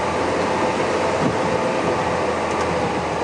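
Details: Steady broadband rumble of a vehicle during a sunset safari drive on 27 February 2016, with no animal calls heard.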